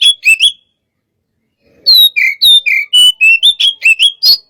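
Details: Hot-type white-rumped shama during pacingan: three quick whistles, a silent gap of over a second, then a steady string of loud, pure, falling whistles in rapid succession.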